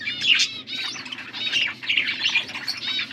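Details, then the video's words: Chirping of blue budgies while feeding one another, August 13, 2024; continuous chattering warble of harmonic, squeaky notes rising and falling, with soft low background hum. "Beautiful blue budgies 💙 feeding to each other birds chirping sounds"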